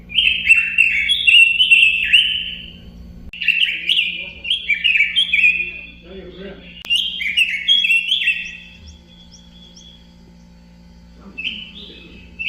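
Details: Singing robin delivers repeated bursts of fast, sweet, descending warbles separated by short pauses, with a brief trailing whistle and a final short phrase near the end. Steady low hum throughout.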